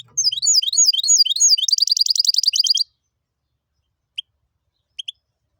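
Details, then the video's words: Goldfinch and canary hybrid, described as tibetano and tuitero, singing loud high whistled phrases: a run of sliding, rising-falling notes that speeds into a rapid, even trill lasting nearly three seconds, followed by a few isolated short chirps. "Jilguero híbrido tibetano y tuitero y canario"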